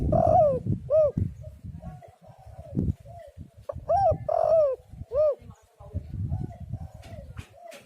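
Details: Spotted dove coos meant to lure doves into calling: two clear phrases of three to four rounded, arching notes, with faint quieter coos between them and light background noise.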